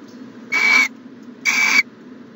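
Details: Two loud, rasping hiss calls about a second apart from an owl in a nest box on a January 2020 morning, each with a faint whistled edge, over quiet background hum.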